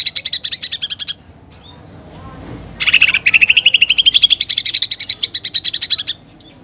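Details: Prolific greater green leafbird song with mimicked fighting sparrows and pelatuk bawang woodpecker: a high rapid pulsed trill, a silent gap, then a lower trill sweeping upward over three seconds, about four pulses each second or faster.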